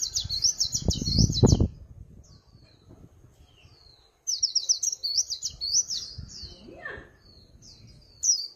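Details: Clean, noise-free recording of a Swinhoe's white-eye: dense, high warbled trills in two long bursts separated by a short gap, with a few soft low thumps early on and a brief lower slurred note near the end.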